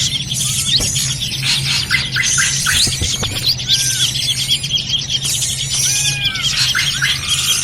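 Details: Busy drongo chatter played as a bird-trapping lure: rapid overlapping high chirps and bright notes with several downward-curving whistles near the end, above a constant low droning hum.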